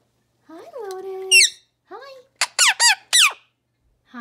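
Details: Two rescued Indian ringneck parakeets roaming the halls of a parrot sanctuary indoors: drawn-out nasal tonal notes, then a burst of four harsh, screechy squawks in quick succession, with a short low sound at the end in a quiet room.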